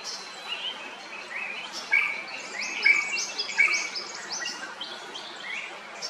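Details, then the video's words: Drongo in Kerala, India, giving rapid, ringing chirps that step upward in short sequences, with three sharp, thin whistles spaced less than a second apart and faint insect-like hiss behind. "The call of Drongo"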